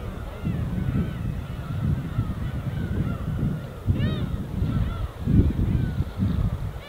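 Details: Winter gulls over the East Sea, Korea: thin drawn-out cries at first, then a sharp cluster of loud arched calls near four seconds, with breaking waves pulsing underneath.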